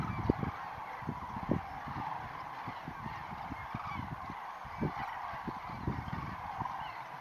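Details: Common cranes gathering to rise from Lac du Der at daybreak, 19 November 2016. Fairly distant chorus of scattered short honks from many birds over a steady murmur, with a few sharper calls standing out.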